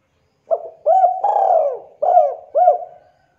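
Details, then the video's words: Spotted dove, a local bird, calling in manggung style as a lure: two short looping coos, then a long, falling, drawn-out coo and two more quick coos, low and mellow, in quiet surroundings. "Derkuku Tekukur Lokal Suara Manggung GACOR"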